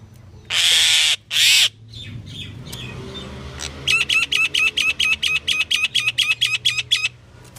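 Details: Pied myna giving a varied series of calls: two loud harsh broadband squawks, then a quieter gap, then a fast run of about fourteen short clipped notes repeated steadily, with a low background hum.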